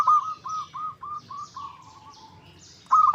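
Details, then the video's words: Pulsed, bubbling coos of a local zebra dove played to draw an answering song: evenly spaced notes fade into a lower rolling trill before a fresh loud burst, with light high chirps behind. "Pancingan PERKUTUT LOKAL Agar Bunyi 100% Ampuh! bikin lawan nyaut."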